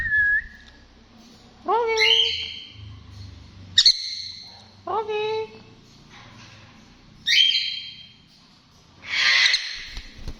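A sun conure gives loud, rising squawks every couple of seconds, ending in a harsh screech.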